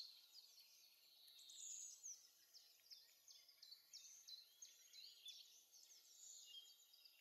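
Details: Songbirds twittering in a forest in spring, singing to win over females: a quiet, continuous chorus of overlapping high whistles, trills and chirps from several birds, with a soft background hiss.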